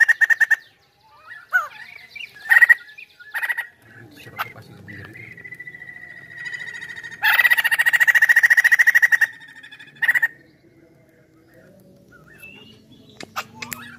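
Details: Chinese hwamei in lively song: scattered sharp whistled notes and pauses, a sustained even tone, then a loud burst of rapid repeated notes, followed by quieter scratchy notes and soft background rumble.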